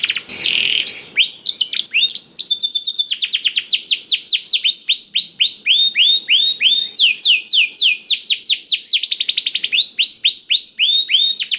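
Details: Canary singing blackthroat-style song as a lure for other canaries: a short buzzy note opens, then nearly continuous rapid trills of sharp sweeping whistles, about four notes per second, changing pitch and speed between phrases.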